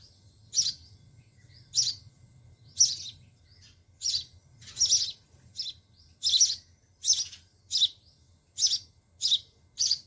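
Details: Being fed by their mother at a nest in a homemade sparrow house in a home garden, sparrow chicks give a dozen or so piercing high chirps, irregularly spaced and roughly one per second, over a faint hum.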